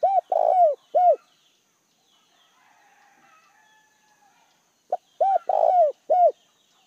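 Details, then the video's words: Decoy spotted dove calling to lure wild doves: two deep cooing phrases with a long gap between, each ending in a rough drawn-out coo and a clear final coo. Faint background chatter fills the pause. "Chim cu gáy gọi hay kích bổi chuẩn chim cu gáy mồi"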